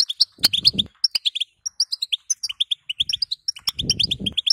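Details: Batbata calls of a female European goldfinch, used to excite a male into singing. Quick bright twittering notes come in dense runs with a short pause midway, and low fluttering rustles near the start and end.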